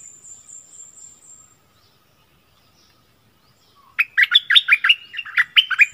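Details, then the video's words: Decoy Streak-eared bulbul singing, dated 16 February 2021: a fading high, thin buzz, then a pause, then two seconds of rapid, bubbly, chirped phrases. "เสียงนกดอกแตงEp.32ร้องแบบนี้ นกป่าหายหมด!!! Burung merbah lekir gacor"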